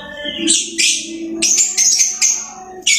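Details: Household lovebird giving high, squeaky chattering bursts, including drawn-out whistled notes, over steady low tones.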